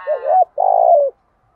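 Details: Spotted dove calling as a lure for wild doves: a wavering, rising coo followed after a short gap by a longer rasping coo that drifts slightly downward.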